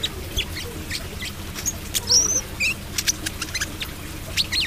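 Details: Brown-throated sunbird in trotol song: scattered high chirps and thin whistled slurs mixed with dry ticking clicks, delivered irregularly over a faint low background rumble.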